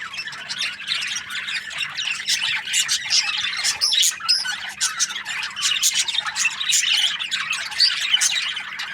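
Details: Australian budgerigars chirping together: a continuous jumble of sharp, high tweets and squeaky warbling. Many overlapping voices produce rapid clicks and short squawks throughout.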